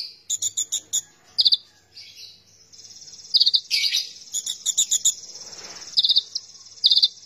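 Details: Gacor song from an oriental magpie-robin (konin): quick rattled note groups give way to a long, shrill, sustained high passage laced with dense chattering and clipped whistles, ending in more rattled bursts.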